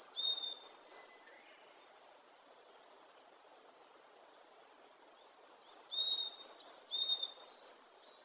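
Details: Wild varied tit singing two bursts of high, clear whistled phrases, alternating a lower and a higher note several times per second, separated by a few seconds of quiet with soft background noise.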